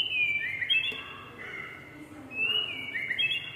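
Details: A tame oriental magpie-robin pours out smooth whistled phrases, held notes bending downward, the phrase repeated after a short gap against faint background noise.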